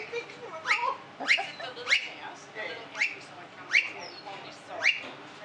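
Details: Several Blue-faced honeyeaters at a café in Tin Can Bay, Queensland, in September 2017, give loud, squeaky slurred notes, about one a second, at uneven spacing, over a faint murmur of people talking.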